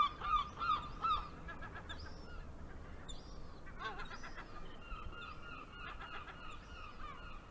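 A gull gives three quick, nasal, harmonic squawks, then keeps calling at a slower pace. Fainter gulls call in the distance over a steady rush of surf and wind.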